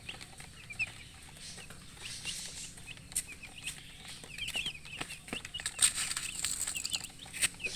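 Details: Baby chicken chicks chirping: short, high peeping notes scattered through the clip, some rising and some falling, with soft rustling and faint background noise between calls.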